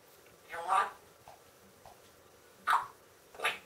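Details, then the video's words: Pet talking parrot, female, indoors, which mimics phrases such as 'I love you' and 'good girl' and also barks and howls: short speech-like utterances with long gaps, in a quiet room. "More from Coco the talking parrot, talking, singing, dancing, yawning, barking, howling"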